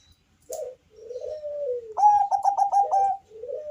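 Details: Zebra dove of the Bangkok type, its deep bass song used to draw other doves into song. Soft low coos, then a quick series of five or six sharp, bright coo notes, then a fading drawn-out coo.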